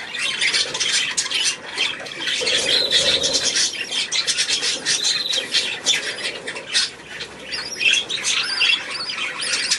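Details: Newly hatched chick, the fifth to hatch, recorded on 2 May 2015; continuous shrill peeping in dense bursts, several notes per second, with some rustling underneath.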